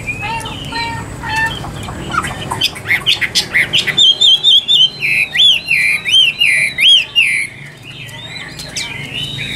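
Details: Caged Chinese hwamei, a Tam Hoàng bird kept for sale, singing loud varied whistles: mixed notes first, then a run of about a dozen rising-falling looped whistles at a steady beat, faint room noise beneath.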